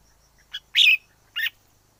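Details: Wild red-whiskered bulbul singing: a few short, bright chirpy phrases, one louder warbled note in the middle, over a quiet background with a faint steady high tone.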